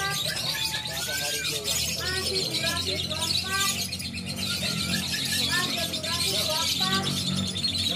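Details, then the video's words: Lovebird of the fighter class singing at a bird song competition in Indonesia: rapid chattering runs of short chirps and twittering notes, with a constant murmur of crowd voices and a low hum underneath. "Lovebird Fighter Gambleh Suka Juara"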